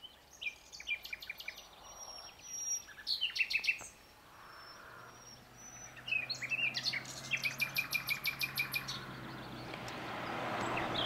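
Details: Common nightingale song, heard mostly in the breeding season and at night, in Greece or abroad: varied phrases with drawn-out whistles, then a rapid series of repeated sharp notes, with rising background noise at the end.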